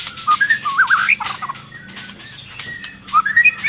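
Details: Breeding-condition female white-rumped shama whose call is used to excite males, also feeding its chick: a short run of wavering whistles, a quiet pause, then rising whistled notes.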